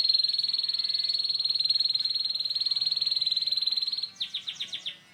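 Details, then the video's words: Young-canary training lure in the coarse ngeriwik style: a dense, rapid, even high trill held for about four seconds, then a string of six separate downward-sweeping notes at about five per second. "kenari ngeriwik kasar 100% RESPON❗Suara Pancingan KENARI PaUd Cepat BeLajar BUNYI NgeriwiK"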